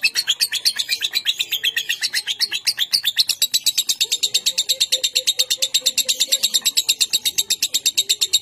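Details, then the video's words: Contest lovebird kept in Bogor, a 'konslet' bird giving long-duration ngekek: a sustained, fast chattering trill of sharp high notes, about seven per second, running unbroken through the whole stretch, with a faint low hum beneath. "BURUNG LOVE BIRD KONSLET TERBARU // NGEKEK DURASI PANJANG BAHKAN LEBIH"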